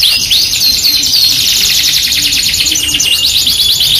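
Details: Singing Yorkshire canary used as a tutor and lure to prompt other canaries, pouring out a fast, continuous high rolling trill laced with thin whistled slides, bright and unbroken throughout.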